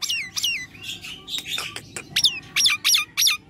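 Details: Nias hill myna, a lively and vocal bird: loud harsh notes sweeping downward, a burst of squawky chatter, then a rapid series of ringing descending whistles about three per second.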